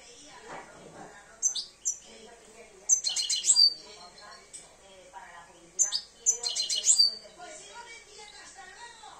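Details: Two-year-old European goldfinch starting to come into breeding condition, giving short bursts of high, rapid twittering and tinkling notes at irregular intervals, with soft murmuring voices in the background between phrases.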